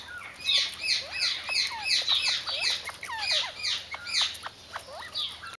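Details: Mexican speckled quail uttering a rapid string of short, clipped notes that sweep downward, repeated about once a second in a busy, chattering run that cuts off sharply at the end.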